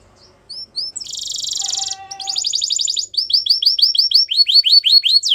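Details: Singing canary for training: scattered high chips lead into a buzzy rattle and a lower trilled phrase, then rows of quick repeated downswept whistles growing louder toward the end.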